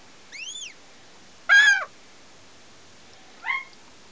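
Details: A first-hatched young female German x Finnish northern goshawk, 2009, gives three calls: a thin, arched whistle, then a loud, harsh, falling scream, and finally a short, rough squeal.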